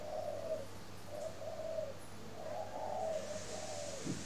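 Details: Spotted dove in a cage at a bird farm in Ba Vì, Hanoi, Vietnam, calling in the morning: three quick low coo phrases, the last one swelling and falling away, against a background hum.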